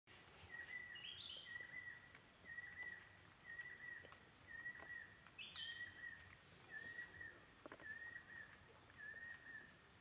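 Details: Banded kingfisher in forest giving a steady series of clear, mellow, level whistles, about one a second, over a constant insect hum, with another bird's brief higher notes.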